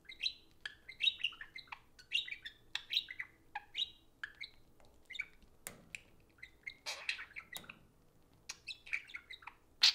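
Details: Socializing pet budgerigars, two birds, chatter over an iPhone with rapid high warbles, repeated chirps and scratchy notes, plus a couple of clicks and taps.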